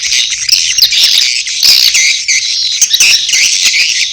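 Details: Swiftlets giving a mating call mixed with chick calls: a dense, continuous chorus of high, buzzy, overlapping chirps and twitters with no pauses, many birds calling at once.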